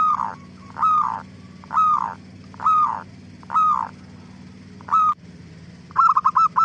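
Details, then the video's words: Zebra dove song used to draw replies from other doves. Five drawn-out, swelling coos come about once a second, then a short clipped note, ending in a fast stutter of five bright notes. "Suara Gacor Burung Perkutut Paling AMPUH pancingan BURUNG PERKUTUT CEPAT BIKIN NYAUT"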